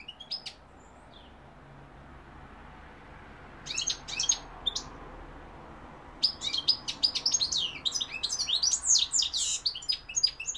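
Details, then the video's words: European goldfinch, 2021, sings short scratchy high phrases, pauses, then launches into a long, continuous run of quick twittering and chirping notes over faint background hiss. "goldfinch p throat sign 2021 مقنين الحسون"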